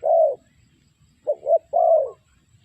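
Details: Spotted dove, its call used as a lure for trapping: a long low coo, a pause, then a quick double note and another long drawn coo, clean and hollow.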